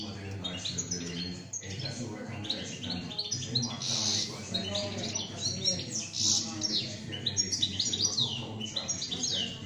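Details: A kept European goldfinch sings a fast, tinkling run of twittering notes and liquid trills, mostly high-pitched, over a low steady hum and faint background voices.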